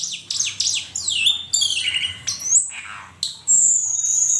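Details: Asian pied starling master song for training songbirds: loud swooping whistles that dip and rise, a harsh grating phrase, then a long sustained high whistle.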